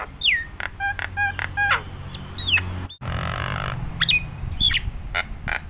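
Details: Energetic Nias hill myna song for drawing out other mynas: a falling whistle, clicks and stacked harmonic notes, then a sudden cut into a louder noisy passage with further sharp slurred whistles; low rumbling hum throughout.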